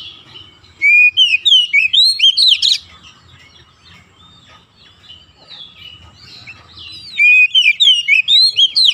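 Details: Kacer, or Oriental magpie-robin, in chattering 'gacor' song for stirring lazy birds: two bursts of rapid loud whistles and sharp slurred notes, separated by several seconds of quiet background.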